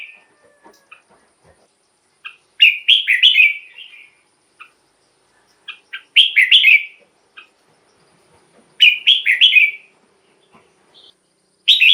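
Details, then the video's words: Red-whiskered bulbul song used as a decoy for wild birds and to get caged birds excited: four rich, warbling phrases of quick rolling whistles, with scattered soft chips and short notes in the pauses. The last phrase is cut off. "เสียงนกกรงหัวจุก สำหรับต่อ หรือ เปิดให้นกคึก เสียงเพราะๆ"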